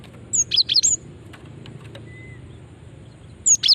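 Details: Female cinereous tit call used as a lure for other birds: a quick cluster of four high, thin chirps with upward and downward sweeps, a long pause, then two more chirps at the end.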